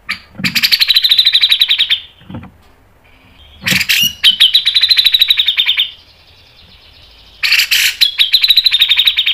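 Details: Grey-cheeked bulbul song delivered fast and dense: three long bursts of loud, rhythmic chattering pulses, each opened by a harsh rasp, with a faint high whistle between phrases.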